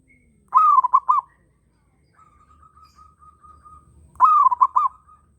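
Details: Local zebra dove in breeding mood repeats its cooing phrase twice: a long opening note then three staccato coos. Between them comes a faint, steady pulsing trill from another bird joining in.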